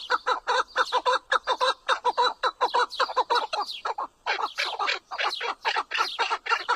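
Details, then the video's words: Chukar partridge with a rapid, rhythmic series of coarse chuk-like notes, nearly two per second, run together in loose bursts that continue throughout. "Partridge Call | Chukar Sound Effect"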